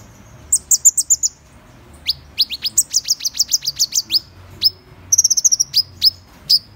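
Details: Van Hasselt's sunbird delivering lively high-pitched song: quick series of sharp rising chips, several rapid tinkling trills, and isolated upswept notes spaced about half a second apart, over a quiet low hum.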